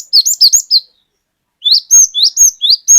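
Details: Cinereous tit (glatik batu), a lively singer used as a lure to get other birds singing, giving long 'wucit wucit' phrases: quick high whistled notes, each sliding upward, in two bursts of about five notes with a short pause between.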